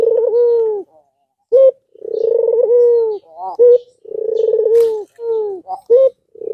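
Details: Rhythmic cooing by an albino Barbary dove, used as a lure to get lazy or young doves calling: long pulsing coos alternate with short clipped notes.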